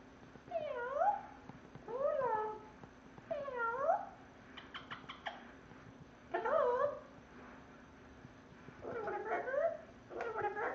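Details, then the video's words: Pet parrot in a portable cage imitating a cat: a series of wavering, meow-like upslurred and downslurred calls repeated every one to two seconds, with a few short clicks between them, indoors. "Parrot meowing in portable cage"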